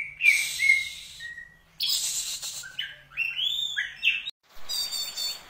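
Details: Caged contest-winning Oriental magpie-robin, kept to a daily care routine and praised for crystal-clear voice, rich fills and sharp notes. It gives bright whistled phrases, then harsh buzzy bursts and rising slurred notes in separate bouts, ending with rapid high chatter.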